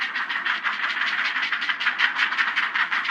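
Great Blue Heron nestlings clattering: a dense, rapid, dry rattling of overlapping clacks, pulsing about three times a second, from many young birds at once.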